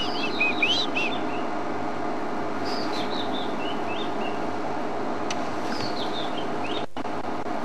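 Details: On an early morning game drive on 23 July 2008, a White-browed Scrub Robin sings short, high whistled phrases that slowly change from one to the next, drawing on a varied repertoire, over a steady low engine-like rumble.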